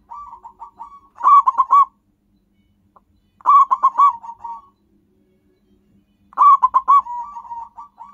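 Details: Local zebra doves for luring and prompting wild birds: three loud phrases spaced about two and a half seconds apart, each a quick staccato burst of coos trailing into a softer rolling tail.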